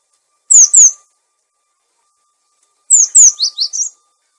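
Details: Cinereous tit, lure and master recording for silent caged birds: first a pair of piercing, descending whistles, then after a pause a longer phrase of two whistles followed by three softer, lower notes.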